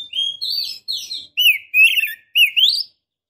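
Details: Female Oriental magpie-robin calling to the male. Series of clear, sliding whistles, some rising and some falling, with buzzy overtones, in five or six phrases.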